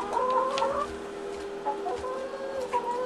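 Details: Laying hens at a farm giving soft drawn-out clucks and short rising notes, calm calling with a steady low hum in the background.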